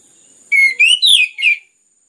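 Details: Short phrase from an orange-headed thrush (anis merah), sung to stimulate other birds: four clear whistled notes, the first flat, then rising and falling slurs, under a steady thin high tone.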